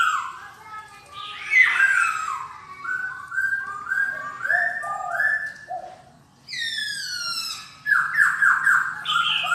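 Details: Singing silver-eared laughingthrush indoors: varied warbled and whistled notes in a long flowing phrase, a pause, then a bright burst of harmonically rich notes; low steady hum underneath.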